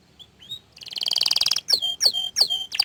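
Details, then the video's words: Orange frost canary singing: a few thin rising whistles, then a fast buzzy trill, followed by repeated sharp downward-sweeping notes about every third of a second. "Kenari Oren Frost ini Ingin Menunjukan Kicauan nya yang Mantul"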